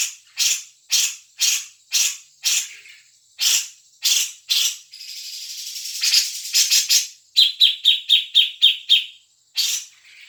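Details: Lure recording of a grey-cheeked bulbul, meant to set a caged bird singing: rasping notes repeated roughly twice a second, a brief hissing stretch, then a fast run of sharp, ringing chips.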